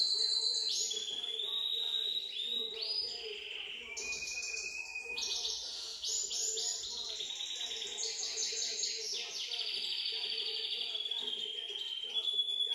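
A goldfinch mule sings a fast, continuous warble of bright twitters, trills and sweet whistled notes.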